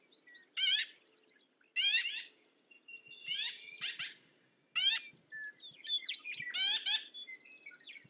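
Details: Black-billed magpie uttering short, rasping, downward-sliding calls spaced a second or so apart, with softer chatter and a thin steady call of another bird in the background.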